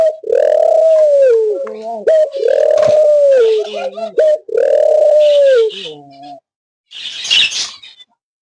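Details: Australian dove calling with three long, arched coos about two seconds each, followed by a softer falling note, then a short burst of scratchy higher sound near the end.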